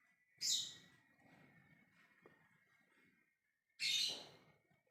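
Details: Lovebird ngekek call aimed at getting other birds to respond: two loud, shrill, squawking shrieks about three seconds apart, with only faint low rustling between them.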